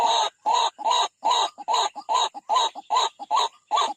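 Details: White-breasted waterhen attacking a rival at a bird trap, giving rapid, regular harsh croaking bursts, about two or three per second, each rough and broadband with short clicking notes between.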